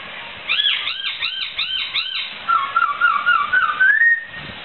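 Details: Laughingthrush song used as a training recording for songbirds: a quick series of arched, looping whistles about four per second, followed by a wavering whistled phrase that rises at the end.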